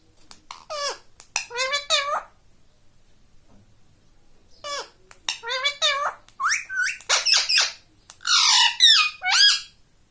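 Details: Pet rose-ringed parakeet (ringneck) talking indoors, taught to say "mummy", "papa" and "radhe radhe"; high, raspy, squeaky speech-like phrases in short bursts around two seconds and five seconds, then a quicker run of several words, with quiet pauses between.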